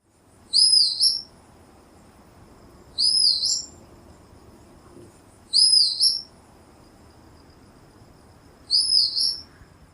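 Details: Rufous-thighed Hawk, a Brazilian bird, giving four high, thin, wavering squeals, each about half a second long, spaced roughly three seconds apart over a faint low hiss.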